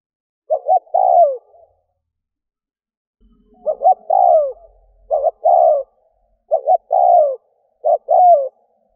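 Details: Spotted dove used as a decoy to provoke wild doves into responding, in Vietnam. Mid-pitched cooing phrases, each two short coos followed by a longer falling coo. Four phrases repeat with pauses of about one to two seconds.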